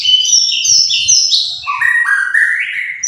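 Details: Gacor song of a white-rumped shama: a continuous rapid run of bright whistled notes stepping down from high piercing tones to lower mellow ones, then climbing again.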